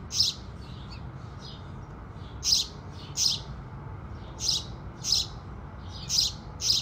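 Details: At the rising sun, house sparrows give loud clipped chirps spaced about half a second to a second apart, with softer distant cheeps between them and a low background murmur.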